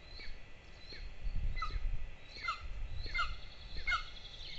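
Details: Begging from two golden eagle nestlings being fed in Lahemaa, northern Estonia, 22 June 2024, caught on a nest camera: clear, piercing down-slurred notes in uneven bursts, backed by distant small-bird song and low wind rumble.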